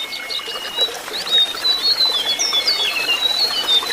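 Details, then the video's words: Jongkangan song used as therapy to get a silent or untrained bird singing, fluting and twittering: thin, high whistled notes sliding up and down, mixed with quick twittering chips over a steady background hiss. "Terapi burung jongkangan yang macet bunyi atau jongkangan bahan supaya lekas nyuling dan ngriwik"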